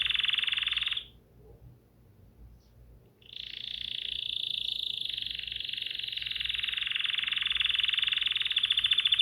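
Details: Bulbul song: a loud, fast buzzy trill held steady, a pause of about two seconds, then the rapid churring trill resumes and runs on to the end.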